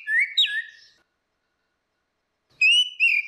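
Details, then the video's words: Orange-headed thrush song, female and male used as a lure: short whistled phrases with a rising swoop and a downward slur, then a steadier whistle after a silent gap. "SUARA ANIS MERAH BETINA VS ANIS MERAH JANTAN NGEPLONG || PANCINGAN ANIS MERAH MACET"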